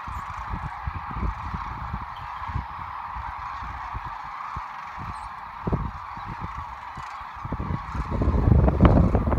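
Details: Sandhill cranes on migration at the Platte River, Nebraska, March 2017, heard as a continuous rolling chorus of many birds, with scattered low knocks and a rise of louder rumbling noise near the end.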